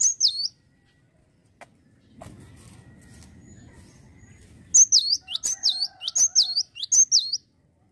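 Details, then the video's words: Cinereous tit singing energetically: one high swooping phrase, a stretch of low humming noise, then four quick repeats of the sharp, bouncing two-note phrase. "GELATIK BATU LAGI GACOR"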